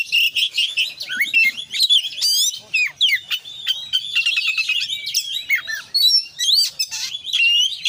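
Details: Oriental magpie-robin in vigorous full song, mixing loud downslurred whistles, rattling trills and scratchy squawks in a nearly continuous, fast-paced stream of varied notes.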